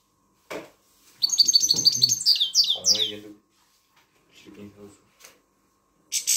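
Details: A captive grey-headed European goldfinch sings as a song tutor for young birds: a bright, rapid twittering phrase of liquid, tinkling notes, with a few low human voice sounds.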